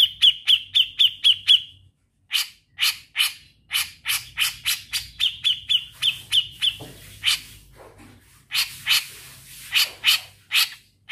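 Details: Grey-cheeked bulbul singing hard in a trilling style: quick runs of high, sharp, evenly repeated whistled notes alternate with louder harsh, rasping bursts, continuing for several seconds with only short breaks.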